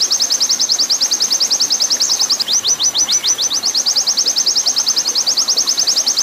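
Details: Oriental white-eye master song of the long 'nembak' style, used for training and paired with running-water sound: a dense, high-pitched rattle of short repeated notes, briefly breaking into slower drawn-out chirps halfway through.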